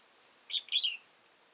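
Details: Wild old red-whiskered bulbul with a tall crest and dark bib, caught with a decoy bird on 15 October 2018: one brief, bright phrase of two quick warbled notes, then a short rolling slur, in quiet surroundings.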